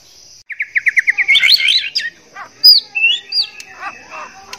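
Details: Breeding male white-rumped shama courting a female: a quick series of evenly repeated clear notes opens, then tumbling warbles, downslurred whistles and scattered chattering phrases over a constant high hiss.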